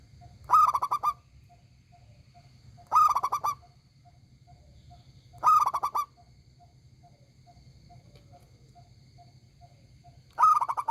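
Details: Local zebra dove (perkutut) with a big, loud, ringing voice, singing short rolling cooing phrases about every 2.5 seconds. Each phrase is a quick cluster of stacked notes. A faint steady ticking tone runs between phrases over a low background hum.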